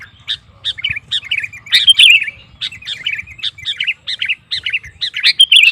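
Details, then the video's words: Energetic sooty-headed bulbul song used to provoke rival bulbuls into singing: short bubbly, chirping phrases repeated about every half second, with a faint low hum underneath. "Suara Burung KUTILANG GACOR Memancing Lawan Kutilang Lain Emosi Ikut Gacor"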